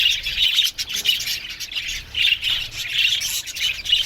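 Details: Budgerigar colony in an aviary giving busy, scratchy chirping, with loud clusters of warbled squawks arriving roughly every half second over steady background chatter.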